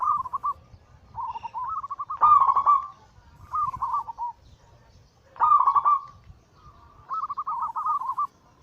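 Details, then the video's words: Zebra dove giving its 'anggungan' cooing song, used as a lure to stir other doves into singing: rolling, bubbly coo phrases near one pitch, in about five bursts with short pauses between. "Masteran Pancingan harian burung perkutut Anggungan paling ampuh langsung emosi gacor"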